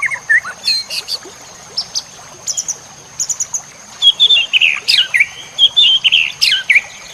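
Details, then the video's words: White-rumped shama song used as masteran for training songbirds: loud, high, varied phrases of sharp whistled notes and chirps in short bursts with brief pauses, building to richer, faster warbled sequences and sweeping whistles. "Masteran Murai Batu Full Isian"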